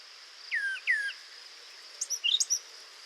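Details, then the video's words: A brown thrasher sings a doubled, downslurred whistled phrase, then a quick burst of higher, sharper notes, part of a long non-repeating song; a steady insect hum runs underneath. "Now, you just heard a brown thrasher sing for 40 seconds without repeating itself."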